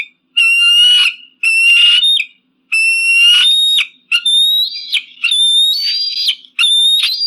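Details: Eagle calls used against pigeons and crows: a series of long, rich, whistled screams, the later ones pitched higher and rougher, following one another with barely a gap.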